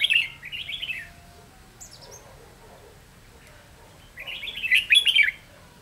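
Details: Red-whiskered bulbul kept as a decoy bird for trapping, recorded 7 November 2016: a bright, warbled phrase of rising and falling whistles at the start, a pause, then a richer chattering burst near the end.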